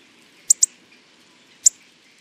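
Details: Hawfinch giving sharp, very high, explosive ticks: a quick double tick followed about a second later by a single one, over a soft, steady background hiss.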